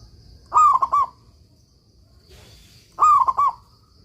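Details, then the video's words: Local Zebra Dove singing vigorously, kept as a master recording for training other doves: two loud cooing phrases, each a drawn-out ringing coo breaking into quick stuttered notes, about 2.5 seconds apart, with a faint rustle between. "suara perkutut lokal gacor"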